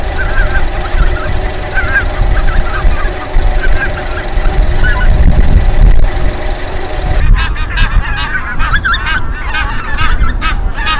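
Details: Greater white-fronted geese at Midden Delfland, Holland, on 18 January 2020: a flock gives overlapping yelping calls over steady low rumble, growing louder and denser in the last few seconds.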